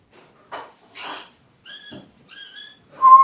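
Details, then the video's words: One-year-old pet African grey parrot with a still scratchy voice attempting words: five short separated utterances, rough breathy bursts followed by clear whistled tones with stacked overtones, the last loudest. "Talking African Gray Parrot"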